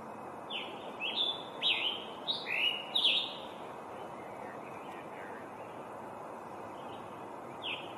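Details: Scarlet tanager (Piranga olivacea) song: a quick run of about six hoarse, burry, slurred phrases, then a pause before one more note, over a steady hiss of background noise.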